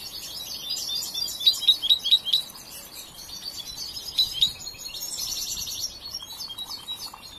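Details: European goldfinch, a young bird not yet fully trained, sings bursts of quick repeated tinkling notes between high rambling twitters, followed by a denser buzzy passage.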